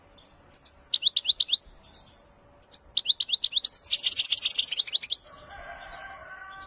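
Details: Wedani goldfinch song: rapid series of sharp, liquid chirps and a dense tinkling trill, ending as a lower, steady harmonic tone takes over for the final second and a half.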